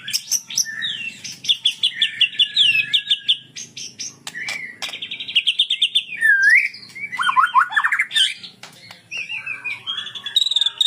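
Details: Cililin Sunda bulbul in 'tembak sambung' song: quick staccato chirp runs give way to a sustained buzzy note and then downslurred whistles and twittering phrases that follow without pause, with a soft low background hum.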